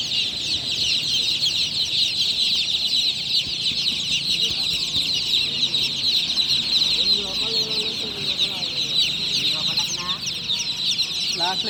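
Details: Newly hatched chicks chirping loudly at night: a dense, continuous chorus of high, shrill peeps from many chicks, with people talking underneath.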